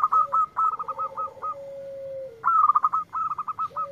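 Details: A local zebra dove sings energetically in response to a lure recording. Punchy rattling bursts of short notes alternate with one long, even, low coo that slides slightly downward. A faint constant high tone hums in the background.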